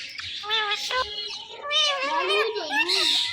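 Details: Pet Indian ringneck parakeet talking, said to be saying Mittu; a run of wavering, harmonic speech-like phrases, some rising and falling in smooth bends, with a nasal, strained tone and short gaps between utterances.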